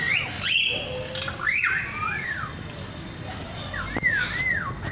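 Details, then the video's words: Lyrebird song: a rapid, varied run of loud whistled notes that sweep up and down in arcs, with squeaky, chirping phrases over a low background hum. "Bird Sounds From The Lyre Bird"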